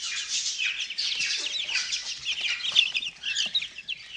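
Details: Chicks fourteen days old, out of the brooder and eagerly eating mealworms; a dense, continuous chorus of high, short cheeping peeps from many birds at once.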